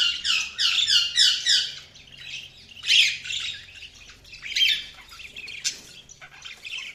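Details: Budgies chirping: a quick series of repeated rasping notes at the start, then mixed squawks, clicks and chattering warble over a faint low hum.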